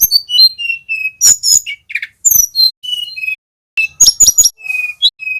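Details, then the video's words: Young male little pied flycatcher learning a trilling song, played as a lure to train captive songbirds: thin high whistled notes and sharp clicky bursts in short choppy phrases separated by abrupt silences. "TLEDEKAN GUNUNG BELAJAR BUNYI NGEROLL"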